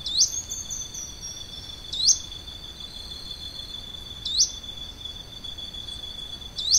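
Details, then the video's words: Plain xenops (Xenops minutus) at Santa Maria do Salto, Minas Gerais, Brazil: sharp, high, upslurred notes, one roughly every two seconds, over a steady high insect drone. "Bico Virado Miúdo (Xenops minutus)"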